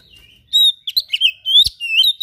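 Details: Oriental magpie-robin in full, vigorous "gacor" song with rare filler phrases ("isian"). Clear whistled notes slide and warble, mixed with quick chattering bursts. A single knock is heard.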